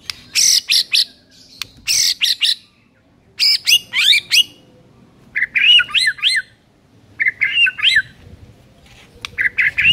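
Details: White-rumped shama master song used to train silent birds: bursts of harsh, high scratchy notes mixed with quick twisting whistles, delivered in separated phrases with short pauses.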